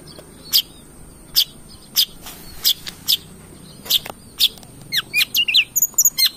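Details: Long-tailed shrike song played to provoke singing: sharp clicks spaced about every 0.7 seconds, then a quick run of varied squeaky whistled notes at the end.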